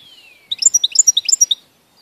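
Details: European goldfinch recorded 11 May 2014; a burst of about a second of bright, quick twittering notes, preceded by a faint thin descending whistle.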